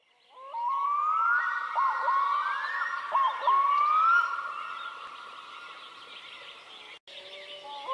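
A loon gives a long, drawn-out wail that slides up and eases back down over about four seconds, then fades. Faint bird notes are heard behind it.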